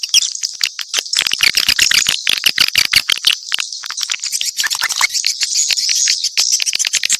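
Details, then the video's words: A swiftlet mix with fast, clicking chirps repeated in dense rapid trains, producing a rattling, insect-like chatter over a constant high twitter. "Sp burung walet campuran"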